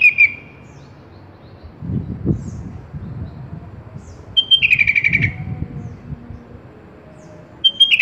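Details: Sooty-headed bulbul song used as a tutor recording for caged birds: short bright whistled phrases, a brief burst at the start, a longer rippling descending phrase near the middle, and another at the end, with quiet low background noise between.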